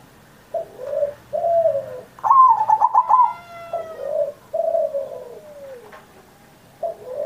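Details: Zebra dove master song for coaxing pet perkutut, recorded on Indonesian Independence Day. Paired soft coos, a rapid stuttering coo series about two seconds in, then several mellow descending coos, calm room background.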